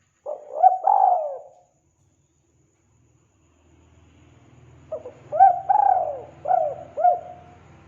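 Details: Spotted dove call, said to be vigorous: a brief cooing pair, a long pause with a low humming rumble rising in the background, then a fuller phrase of four or five husky, bending coos over the hum.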